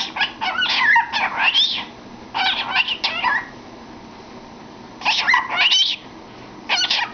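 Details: Domestic cockatiel singing into a cardboard tube, three clusters of warbling, gliding notes with rising whistled sweeps, separated by quiet gaps.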